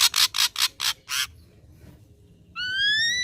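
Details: Five harsh, grating notes in quick succession from a young wild-caught ashy drongo, a short pause, then a clear, slowly rising whistle.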